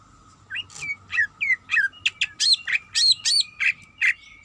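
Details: Female greater green leafbird, in breeding condition, calling the male: a string of clear, loud slurred chirps, several per second, some falling sharply in pitch, over a faint constant hum.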